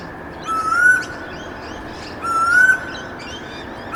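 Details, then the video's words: Pacific koel, the storm bird, calling in late-afternoon suburbs: two loud, upward-sliding whistles about two seconds apart, each with bright high chirps from other birds, over a constant low hum. "Loud Storm Bird Singing Sound Effect"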